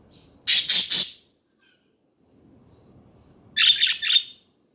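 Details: Chattering budgerigars give a loud burst of three scratchy squawks, fall silent for about two seconds, then break into a rough, warbling cluster of chirps.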